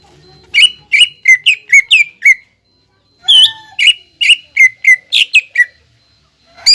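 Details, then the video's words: Lure song of a greater green leafbird, meant to stimulate untrained birds to sing: two bursts of rapid, ringing whistled notes, each burst about eight notes long, separated by a one-second pause, with a thin steady tone in the background. "PANCINGAN CUCAK IJO BAHAN AGAR BUNYI DAN GACOR"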